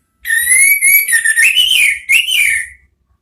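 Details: An orange-headed thrush delivers a lure song in ngeriwik style, aimed at drawing ngeplong sounds: a long, fluid whistled phrase that starts steady, then bends up and down, broken once by a short pause before a final rising-falling note.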